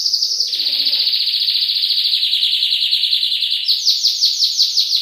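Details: Canary singing a master song: a long, fluid, bubbling trill that drifts slowly downward. It then jumps into a series of higher, swooping chirps, with faint low sounds early on.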